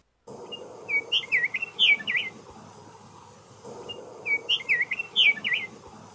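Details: Scott's Oriole of the southwestern US sings its slow, melodic, sweet whistled song: a clear phrase of rich notes rising and falling, given twice about three seconds apart over a faint low hum.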